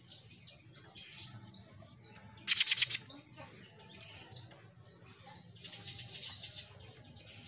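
A small songbird gives quick, high, thin chirps and slurred whistles, broken by a loud, harsh buzzing burst, then more rapid twittering over a faint low hum.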